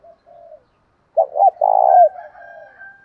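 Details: Spotted dove provoking a fight, male and female voices: a soft coo, then two sharp hooked notes and a long trilled coo sliding down, followed by a thin high steady whistle-like tone.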